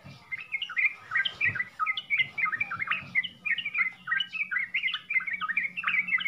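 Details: Bright chirping 'full isian' song of a sooty-headed bulbul: crisp, high, separated notes in lively rising and falling runs, over a soft low hum.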